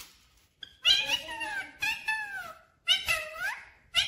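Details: Clear-voiced pet parrot that says 'mummy papa' voices three drawn-out, speech-like phrases with bending, nasal tones, separated by short pauses, and a final clipped syllable indoors.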